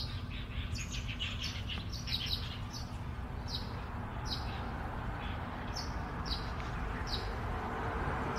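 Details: Russet sparrows in Baihe District, Tainan, 8 March 2022, giving a busy run of sharp, high chirps, several per second and overlapping, against constant low background rumble.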